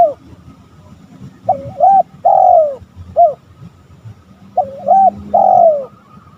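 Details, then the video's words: Spotted dove cooing, two full phrases, each a wavering double coo, a long descending coo and a brief closing note, separated by a short pause over quiet low rumble. "Suara tekukur paling di cari lawan"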